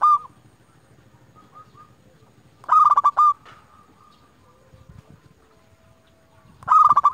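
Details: Local zebra dove used as a lure to call rivals, sounding loud bursts of quick rolling coos a few seconds apart, with soft distant cooing between them.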